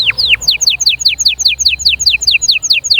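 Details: Canary singing, meant to push young birds to sing and ready females: a steady series of sharp downward-slurred whistles repeated about two or three times per second.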